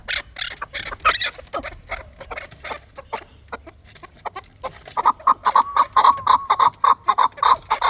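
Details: Fighting chukar partridge calling in a rapid run of harsh clucking notes, ragged at first, then settling into a steady train of sharper chuck notes about three per second.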